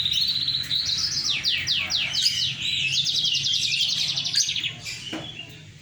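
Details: Energetic song from a Mozambique × canary hybrid: a chain of descending slurred whistles, then a long, evenly pulsed buzzy trill and twittering, fading toward the end over a low hum.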